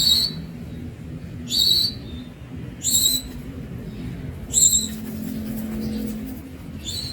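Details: Calls of a young Javan Munia: brief, sharp, very high notes with a slight upward sweep, five spaced across the stretch at irregular intervals of one to two seconds, with faint low rumble beneath.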